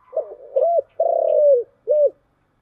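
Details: Spotted dove (cu gáy) cooing in the 'giọng thổ' luring style (chiêu gù): two short hooting notes, a long rolling purred coo, then a clipped final note, one low mellow phrase in quiet surroundings.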